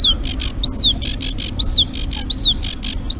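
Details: Eurasian reed warbler song, a migrant that winters in Africa and passes through Urdaibai, Spain, without breeding there. Pairs of harsh chattering notes alternate regularly with clear, downslurred whistles.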